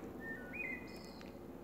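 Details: Wood thrush singing close by in April, recorded on 16 April 2019 during a walk; a short clear whistled phrase of held notes, rising then jumping higher, ending in a thin high trill.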